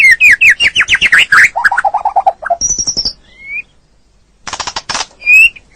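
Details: Captive white-rumped shama song used as a training recording for a stressed bird that has stopped singing: fast series of rising whistled notes, lower warbled phrase, then high clear whistles and dense rattling bursts.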